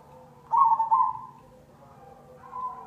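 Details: Cemani zebra dove, black variety, singing as a lure: one strong rippling coo phrase followed by softer lingering coos and a quiet rising note at the end; low hum throughout.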